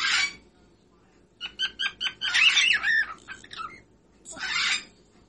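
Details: Whiteface pearl cockatiel song: a harsh burst, then a quick string of short pulsed chirps running into a scratchy warble, ending with another loud raspy phrase.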